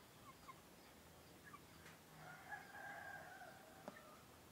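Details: Rooster, a male laying-type chicken, crowing at daybreak; a moderately distant sustained crow of about a second and a half in the middle, with sharp clicks and knocks nearby and low rural background noise.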